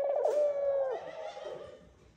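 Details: Male Eurasian collared dove calling the female to the nest during courtship: one steady, humming coo lasting about a second that then fades into a quiet, trailing tail.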